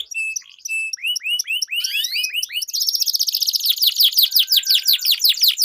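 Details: Canary used as a lure for competition birds: clipped whistled notes and rising slurs build into a long, fast roll of repeated chirps.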